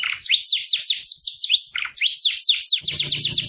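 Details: Canary (kenari) tutor song with a clear tone. It is a fast series of repeated sweeping, whistled notes forming rolling trills, changing to a single long rising slur and then to quicker, higher rattling repeats.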